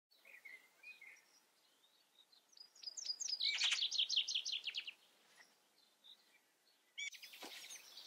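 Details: Common chaffinch singing: a fast series of bright repeated notes sliding down in pitch into a rattling trill and closing flourish, lasting about two seconds, with soft whistles from other birds before and another song starting near the end.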